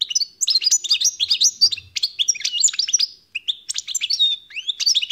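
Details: European goldfinch (Carduelis carduelis) sings a fast, tinkling run of high twittering notes and liquid trills, almost without pause, with one short break near the middle.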